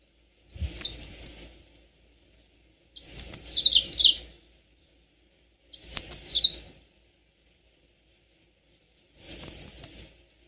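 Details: Four short, rapid, high trilled song bursts from a yellow-fronted canary. Each lasts about a second and some slide slightly downward. They come roughly every three seconds over a quiet background. The recording serves as a lure to bring on rolling song.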